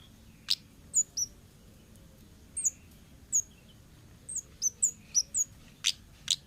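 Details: Orange-headed thrush from the wild giving sparse, very high, thin whistled notes and sharp ticks, spaced irregularly and clustering into a quick run near the end, over quiet background.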